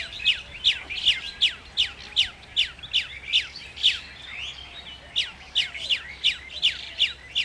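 Chestnut-tailed starling giving sharp, high descending chirps, about two or three a second, with softer chatter and faint background calls between them.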